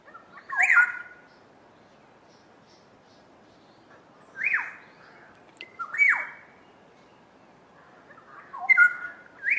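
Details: Duet of two black-headed orioles: rich, liquid whistled phrases with sharp downward slurs, given in bursts roughly every two seconds, with quiet pauses between.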